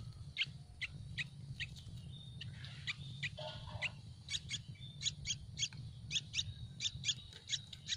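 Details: Hungry Yellow-vented bulbul nestlings in a nest in a tree give thin, high, wheezy begging notes for food, repeated rapidly in short bursts, over a steady low background hum.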